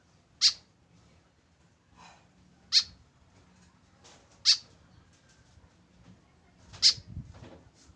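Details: A lone tame white-breasted woodswallow with no companion calls four times in eight seconds, each a brief harsh, shrill note, spaced irregularly, with soft rustling and low background noise.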